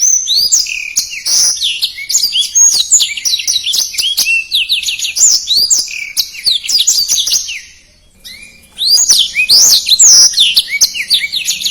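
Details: Blackthroat, a small bird kept on house terraces and used as a tutor for contest birds, singing fast, dense song ('speed rapat'): rapid high twittering trills and slurred whistles, a brief pause near eight seconds, then more twittering.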